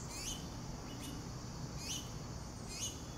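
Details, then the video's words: Young finches beg for food from their mother with bright, high rising chirps, three strong calls at roughly one-second intervals and a fainter one between, over low background hum. "Mama Finch feeds Baby Finches"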